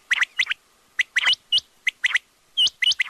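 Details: Quail calling in a rapid run of sharp, clipped high chirps, often grouped in twos and threes, loud and clear over a quiet background.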